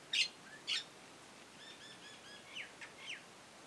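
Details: Common hill myna carrying nest material outside its cage: two sharp, harsh high notes half a second apart, then a run of soft, thin whistled notes and short downslurred chirps.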